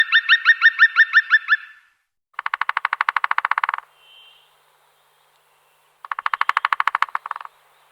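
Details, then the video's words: Woodpecker drumming: after a quick series of bright, chirping notes, two bursts of rapid, even taps rattle out for over a second each, separated by a short soft note and silence. "Как стучит дятел? 🐦 Звук стучащего дятла"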